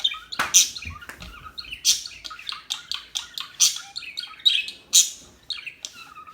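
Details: Dense, lively twittering from small birds, with rapid high chirps and short trills following one another almost without pause.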